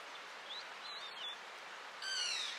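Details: Spotted forktail (Enicurus m. maculatus) at Pangot, India, in November 2023: a few thin, high whistled notes, then a louder, harsh, screechy call near the end, over a steady rushing hiss like running water.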